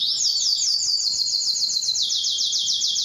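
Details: Canary song: a fast, steady trill of rapidly repeated high notes, dropping slightly in pitch partway through and continuing as an even rolling series.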